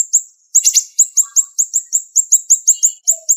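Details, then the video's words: High, clear siri-siri bird notes delivered as rapid sharp 'shots' in a tight, fast tempo, one brief gap near the start and then an unbroken string of bright, downward-slurred chirps roughly four per second. "Masteran Burung Siri Siri Tembakan Tajam Speed Rapat"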